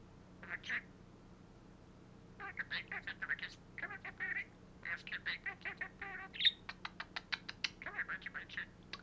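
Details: Budgerigar perched on a hat talks in quick, raspy bursts of imitated words mixed with its own chirpy chatter.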